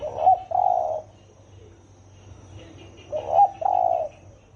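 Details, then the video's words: Spotted dove of the hoarse 'thổ ồm' voice type, calling to stimulate 'thổ đồng' doves; two mid-pitched cooing phrases about three seconds apart, each a short note followed by a longer rolling coo, against a quiet low hum. "Tiếng chim cu gáy thổ ồm kích thổ đồng siêu tốc lên cực nhanh cực hay"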